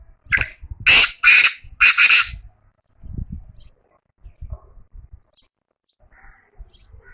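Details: Black francolin calling, linked to Chakwal: a quick burst of four or five harsh, grating broadband notes in under two seconds, followed by quiet stretches with faint low thumps and distant soft chirps.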